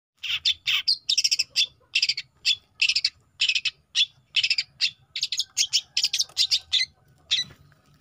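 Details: Young long-tailed shrike, a juvenile, singing: a dense run of short, harsh, scratchy notes repeated rapidly, grouped in quick bursts with brief gaps, steady and loud throughout.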